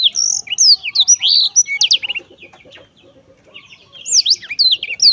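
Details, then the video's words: Black-throated canary giving quick bursts of high whistled notes and trills, a quieter stretch of soft lower chatter, then a final burst of bright slurred whistles. "kicau merdu siBLACKTHROAT selalu menemani dengan ceria"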